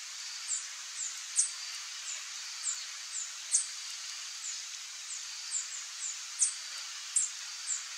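A Glittering-bellied Emerald sings very high, thin, tinny chips, several each second at an uneven pace, over a soft steady hiss.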